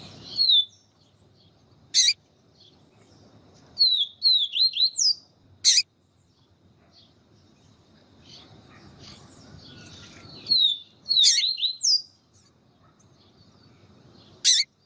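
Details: Yellow-bellied Seedeater (papa-capim), song of the 'siu siu' style, with a female calling to excite the male: short high whistled phrases of downslurred 'siu' notes in three bursts, separated by loud sharp clicks and quiet gaps.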